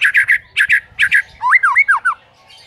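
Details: White-rumped shama singing a morning training lure for a silent bird: paired harsh, buzzy chatter notes in three bursts, then a string of swooping, wavy whistles that fade out.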